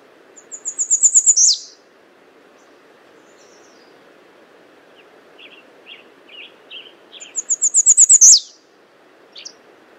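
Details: American redstart calling: two loud high series of thin, rapid notes, each speeding up slightly and ending in a sharp downslurred accent, about seven seconds apart, with faint scattered chips between them over a steady low background hiss.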